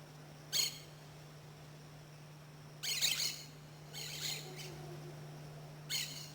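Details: Orange-chinned (brown-shouldered) parakeet in Costa Rica, where it is common, giving harsh, scratchy, high chattering bursts, four short outbursts a second or so apart, over a steady low hum.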